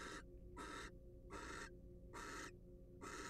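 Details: Rasping hisses from a wild barn owl in a research nest box, five breathy bursts in about three seconds, regular in rhythm, with a steady background hum.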